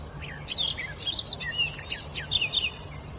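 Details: Bird singing freely in a forest: quick, high chirps and short whistled slurs, some rising and some falling, tumbling in an irregular run over a low steady hiss of background noise.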